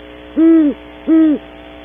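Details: Two strong, deep hoots about three quarters of a second apart from a great horned owl, one of a pair visiting a cavity early in the morning at Audubon Starr Ranch, California.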